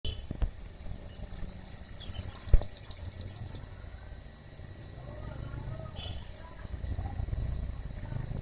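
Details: Crested jay in full song, kept to draw other birds into singing: sparse, high, thin chirps spaced about half a second apart, broken near the start by a fast, bright, ringing trill, over a low background rumble.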